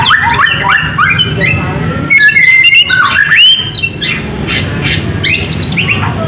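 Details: Medan-type white-rumped shama singing hard, 'full isian' with a full set of fill-in phrases, prepared for competition; varied whistles, squawky notes and quick slurred trills tumbling one after another, strong and continuous.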